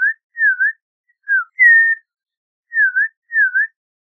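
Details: Leisurely whistled phrases from an Audubon's oriole: seven pure notes, several dipping and rising like a shallow V, one falling slur and one longer steady whistle, spaced by quiet gaps.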